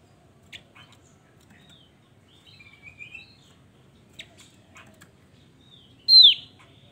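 Javan grey-throated white-eye giving sparse, high chirps and short whistled slurs, ending in one loud, sharp downslurred note. The background is otherwise quiet.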